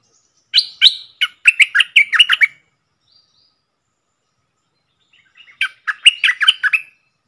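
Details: Red-whiskered bulbul, a bold wild bird singing back at a caged decoy, dated 5-6-64: two phrases of sharp, fast, clipped whistled notes, about eight notes each, separated by a three-second pause.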